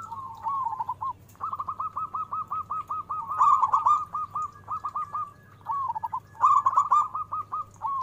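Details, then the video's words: Loud local zebra dove singing as a lure to draw replies from other doves. A long, nearly unbroken run of rapid rolling coo notes, with brief pauses between bursts and a constant low background hum. "Full Suara besar perkutut Cepat respon!! Nyaut..."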